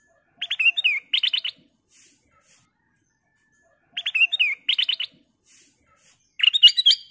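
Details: Vigorous song of a golden bulbul, known locally as kutilang emas, used to encourage other birds to sing: paired clusters of liquid, bubbling whistled notes that recur about every three seconds, clean background.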